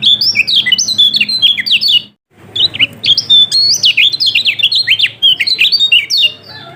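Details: Kecial kuning, the yellow-throated white-eye of Lombok, singing a lure song for reluctant birds: dense, high, rapidly slurred whistled phrases, a brief silence near two seconds, then the chattering resumes.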